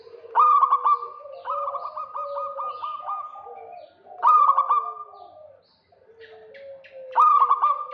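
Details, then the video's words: Local zebra dove calling actively to lure a rival: loud sharp coos with a quick stuttering trill recur about every three to four seconds, linked by a long run of rapid beaded notes and softer, lower cooing. "Perkutut lokal GACOR KEROT MANCING LAWAN"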